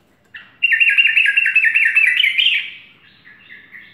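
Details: Morning song of a sooty-headed bulbul, a lively run of rapid chirping, wavering notes that climbs slightly before fading into a few softer, higher notes.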